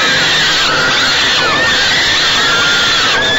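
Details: Falcon young in their nest box during a feeding by the mother, 28 May 2013, 6 pm, Great Spirit Bluff; a dense, unbroken chorus of rough, high wailing cries.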